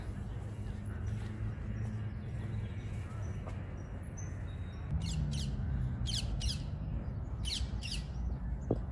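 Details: A parakeet at a wild, reed-fringed pond on Clapham Common, London, around sunset, gives harsh, high screeches in quick pairs during the second half, over a steady low rumble of distant traffic and faint chirps.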